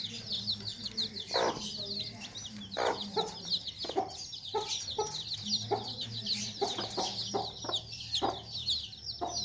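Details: A Sussex mother hen protecting her chicks makes angry sounds: harsh, broadband clucks and squawks at irregular intervals over a constant chorus of high, peeping chick calls.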